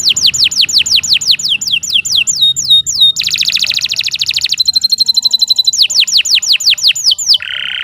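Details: Canary song, loud and continuous, used to train other songbirds. It has rapid series of high descending whistled sweeps, then buzzy trills and rattling stretches, then more sweeps. A faint low hum sits underneath.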